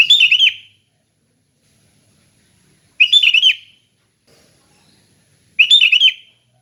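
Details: Sooty-headed bulbul singing a relaxed, open 'ngeplong' style song: three short bubbly, warbled phrases, each about half a second, repeated roughly every two and a half seconds with silence between.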